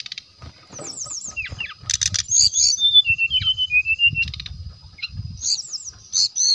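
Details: Brown-chested jungle flycatcher singing as bait for rival males: high, clear whistles slurring down, interrupted by harsh buzzy bursts, then a long series of pulsed chirps over a faint low rumble.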